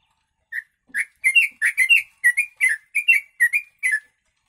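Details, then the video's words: Yellow-vented bulbul song with imitated sooty-headed bulbul (kutilang) phrases, meant for training birds; about eleven bright whistled two-part notes delivered in a steady, rollicking series roughly three per second, clear and loud with no other sounds. "Trucuk Isian Kutilang"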